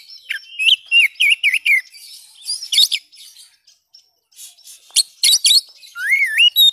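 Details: Oriental magpie-robin in vigorous, continuous song meant to restart silent birds: rapid looping whistles, then harsh rattling bursts, a short pause, more sharp rattles, and an ending wavering whistled flourish.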